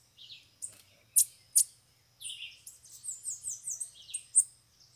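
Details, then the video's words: Bananaquits, several free birds arriving at a cage during a trapping session, give high, thin notes and short buzzy trills in scattered bursts, some sharp and loud, with quiet pauses between. "canpeada de sibite chegou varios sibite solto na gaiola"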